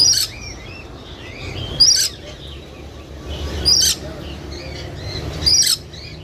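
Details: Parakeet calling: short sharp high chirps and squeaky twitters in bursts about every two seconds, with softer warbling notes between them over a low steady background hum.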